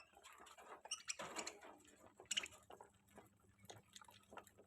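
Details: Budgerigar (Melopsittacus undulatus), chirping.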